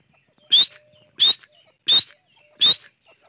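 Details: Grey francolin (gora teetar), four loud, shrill, rising whistled notes evenly repeated about every 0.7 seconds against a quiet background.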